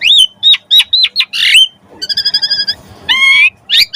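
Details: Asian pied starling song meant to prompt other birds to sing: clear whistled slurs, a harsh burst, then a quick dry rattle and a ringing nasal phrase, loud and close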